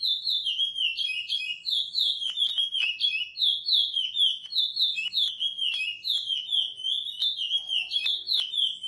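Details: Lined seedeater, or curió, singing beach-style training song: repeated whistled phrases of descending slurs in a regular cycle, with a few faint clicks in the background.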